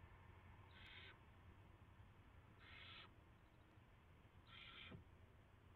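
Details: Owl at the nest early on the morning of March 9, 2016, as prey, a rat, is delivered. It gives three rasping, hissing screeches about two seconds apart, each lasting under half a second, with a faint click and a low background rumble.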